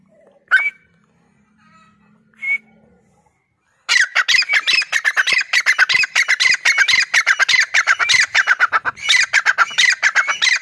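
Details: Grey francolin, known locally as dakhni teetar: two brief sharp notes, then a loud, dense run of harsh, rapidly repeated squawking calls, about one and a half per second, continuing to the end.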